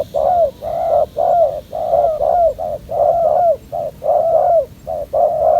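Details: Spotted dove, an aggressive young male at a decoy trap, neck collar still incomplete, giving a run of low, resonant coos in quick succession, some notes slurring downward at the end, with a faint high hum behind.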